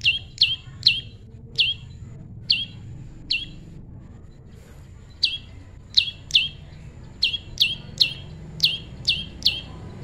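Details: Prinia, tame, in a natural pairing setting: clusters of bright, falling chirps, a quiet gap of about two seconds, then a fast closing series.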